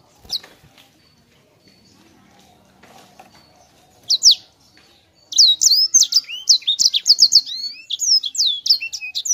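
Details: Sanger bird opens with scattered single chirps, then breaks into a fast, tightly packed rolling song of high whistled slurs and sharp notes.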